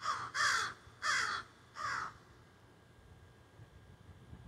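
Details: Group of crows carrying on in backyard trees, phone recording: three loud raspy caws in quick succession, about two-thirds of a second apart, then quiet background.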